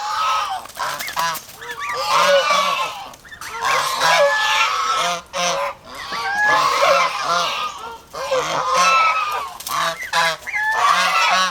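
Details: A flock of farm geese in the Philippines, aggressive and over-protective guards, giving loud, raucous honks in dense overlapping waves roughly every two seconds, with brief quieter gaps between them.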